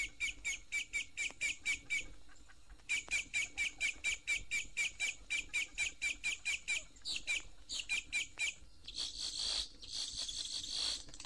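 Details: A Boat-tailed Grackle in Florida gives a fast series of sharp, dry clacking notes, about two a second, ending in harsher, noisy crackling bursts; such calls are usually accompanied by fluffing feathers and fluttering wings. 1969 record.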